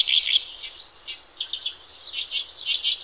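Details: Horsfield's bush lark singing gacor-style for masteran training of other birds: a loud opening burst of sharp chirps, then a softer pause, then a chain of clipped, high twittering notes that come back strongly near the close.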